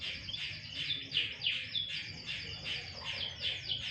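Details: Canary out for sunbathing sings a steady series of high downslurred notes, roughly three each second, over low rumbling background noise.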